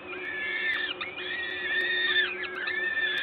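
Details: Peregrine falcons being fed at a nest in Gdańsk, Poland (LOTOS), on 14 May 2022 at 11:07: loud, sustained wailing calls with sharp downward dips, several birds together, over a persistent low drone.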